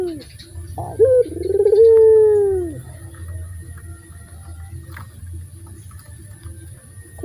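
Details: Local dove, described as very loud and melodious and used as a lure for other birds: a low, loud, drawn-out coo that slides down at its end, preceded by short rising notes, over a steady low hum.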